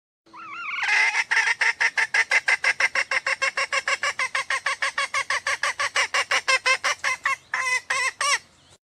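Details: A female red junglefowl gives a long run of quick, nasal clucking notes, about three a second, steady and insistent, with a few rougher notes near the end; the call is used to lure males closer or make them crow.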